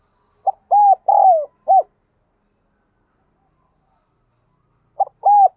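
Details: Caged decoy spotted dove calling urgently to draw wild doves: a full four-note coo phrase of short, long, long falling and short notes, a pause of about three seconds, then the start of the next phrase.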